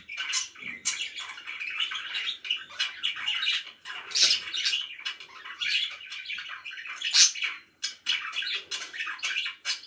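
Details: Budgerigars kept as pets give loud, harsh squawks mixed with chirpy warbling in uneven bursts, with short pauses between the louder phrases.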